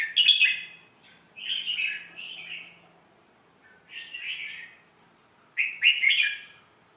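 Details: Red-whiskered bulbul singing a pleasing song style used for tutoring young birds: separate short, bubbly whistled phrases about every two seconds. Each has sharp clicky onsets and a warbling body, with quiet gaps between.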